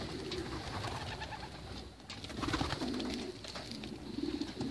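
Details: Several white racing homing pigeons giving soft, low, rolling coos in a run of drawn-out phrases, with rustling, scraping and light clicking in the background.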